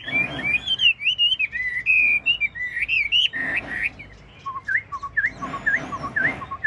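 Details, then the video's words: A large Chinese hwamei sings while nodding and dancing: a loud, varied run of rich whistled phrases, sliding and warbling, then shifts to short repeated upslurred notes; no other sounds intrude. "Họa mi ngũ trường bộ to hót gật gù múa lân"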